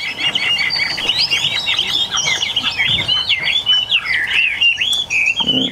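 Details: Bird number three of eight caged Chinese hwamei in Vietnam singing a long, continuous stream of rich whistles and quick trills that swoop up and down, with faint rustling from the cages.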